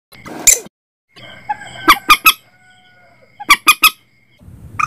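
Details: Common Moorhen calls, used as a lure for setting nets at night: two bursts of three loud, harsh, clipped notes in quick succession, with a short rustling noise at the start and a faint steady hum underneath.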